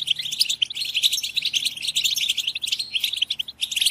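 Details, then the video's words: {'caption': 'European goldfinches chattering as a group to encourage singing: nonstop bright chirps, rapid twittering runs and metallic trills pile up at high pitch, steady and intense from start to finish.'} "اقوى بتبتة جماعية لتحفيز الحسون على التغريد"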